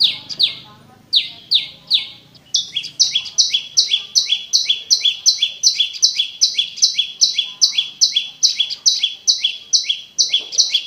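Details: Prinia song, clear and used as a lure for a silent caged prenjak: slower high chirps at first, then a quicker, steady series of doubled high-and-lower notes about two per second.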